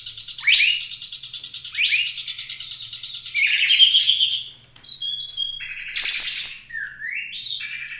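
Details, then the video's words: Oriental magpie-robin giving full-roll 'tembak' song for tutoring other songbirds. Sharp upswept notes repeat and lead into rich warbled phrases. A brief pause comes before bright, buzzy high whistles and slurred notes. "Kacer gacor ful roll tembak cocok buat masteran"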